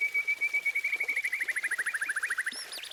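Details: White-rumped shama giving a rapid trill of repeated short whistled notes at a steady pitch. The notes speed up and turn choppier before ending in a few high twisting whistles.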